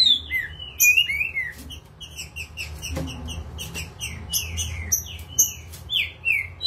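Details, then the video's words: Green-winged saltator in peak form, very agitated, sings in rapid bursts of clear whistled notes that slur up and down, with short chirps packed between the phrases and a low background hum. "Trinca ferro nervosão!!!!"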